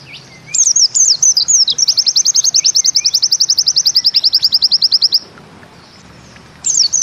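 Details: High twisting phrases from a white-eye flow into a long, rapid, even trill of sharp chips lasting over three seconds, the 'Bustomi nembak ziperrr' style, followed by quiet and a new opening note.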